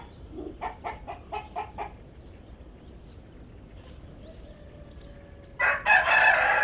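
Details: Backyard chickens feeding on grass and leafy greens in a garden; a quick run of six clucks, a quiet pause, then a loud, harsh crow-like burst that closes the recording.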